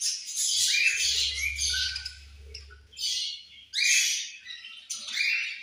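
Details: Several budgies chirping at food time, a dense high chatter of harsh warbles and squeaks, pausing briefly before louder bursts resume, with a low humming rumble under the first half.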